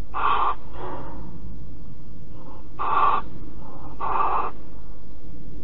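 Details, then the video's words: Barn owls cuddling in Alphen on 5 September 2019 at 09:46, giving harsh, breathy hissing rasps, each about half a second long, four loud ones and a few softer ones spaced unevenly, over a steady low rumble. "Kerkuil Alphen 2019 09 05 09 46 knuffelen"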